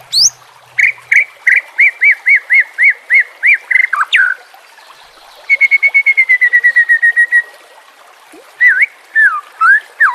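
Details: White-rumped shama song mixed with filler phrases and meant for training caged birds: a steady run of repeated whistled notes, a rapid buzzy trill, then looping sliding whistles.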